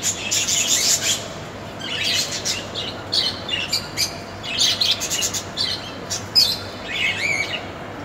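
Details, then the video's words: Lovebirds chattering: a busy, continuous stream of high, sharp chirps and squeaky twitters, overlapping bursts throughout with short pauses, steady faint hum underneath. "Love birds amazing sound"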